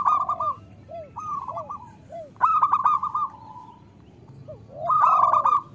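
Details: Local Indonesian zebra dove song used as a lure to make reluctant doves sing. Soft separate coo notes lead into loud, fast rolling trills of clipped notes, with a faint second bird underneath.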